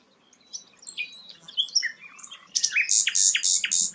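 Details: Rare sikatan londo flycatcher giving scattered soft twitters and whistles that build into four loud, evenly spaced high notes near the end.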